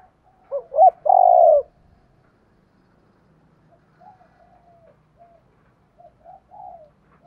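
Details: Spotted dove calling to draw in wild doves: one loud phrase of two brief notes and a long, level coo, followed by several soft, faint coos trailing off over the next five seconds.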